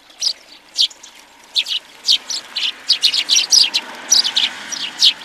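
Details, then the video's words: Many house sparrows at a feeder in Recke, Germany, in January 2020, giving a lively run of short, bright chirps repeated about twice a second, overlapping one another in an ongoing chatter. "Many sparrows on the feeder"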